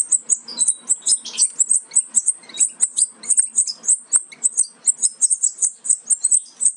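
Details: European goldfinch young close to leaving the nest, bred from a Major carrying aminet and a Parva Ancestral. Shrill, high-pitched cheeps pulse steadily, about four to five a second, with a few lower notes mixed in.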